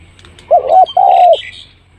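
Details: Spotted dove call used as a lure to draw birds in quickly: a brief hollow coo followed by a longer, steady, slightly falling coo, low and mellow, with faint high chirping in the background.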